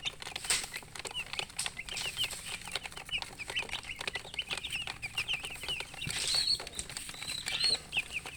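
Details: Many chicken chicks chirping together: rapid, high, falling peeps pour out almost without a break, with a few clearer whistled notes standing out near the end.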